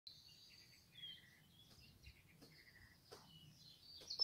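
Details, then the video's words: A nightingale, probably a male seeking a mate, sings quietly in a garden in Cherry Lane, Great Mongeham, in May 2022, on an evening or morning: high whistles, short buzzy trills and rapid repeated notes in varied phrases, over faint background hiss. "Nightingale singing"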